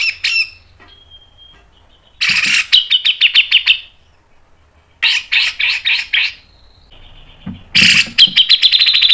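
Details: Repeated bursts from a Grey-cheeked bulbul (cucak jenggot): brief harsh calls, a thin steady whistle, then three loud phrases of rapid, rattling pulses separated by pauses of about a second.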